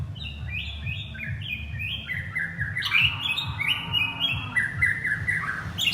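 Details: Male white-rumped shama calling his partner: a rich, continuous flow of varied whistled phrases that rise and fall, quick notes tumbling one after another, over a low background hum.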